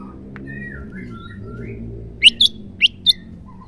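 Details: Female white-rumped shama, the call used to prompt male shamas to sing: soft faint whistling at first, then four sharp, high, clipped notes in quick succession.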